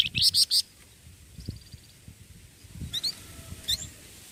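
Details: A young tutor bird sings. Loud rapid high notes come in a tight cluster at the start, followed by softer scattered upslurred chirps and a faint thin trill, with low rumbling noise.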